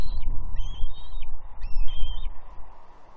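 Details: Young female bald eagle begging her father for breakfast fish on a gnarly tree at Two Harbors, Catalina, June 30, 2021. Loud piercing high squees, sustained wavering wails strung together for two seconds, then fading, with wind noise beneath.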